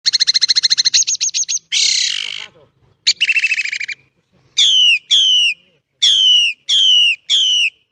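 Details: Starling singing a continuous rolling 'ngerol' song used as a training recording: a fast chattering trill, a buzzy rasping burst, another rapid trill, then five clear, loud, down-slurred whistles in even succession, in a clean quiet setting.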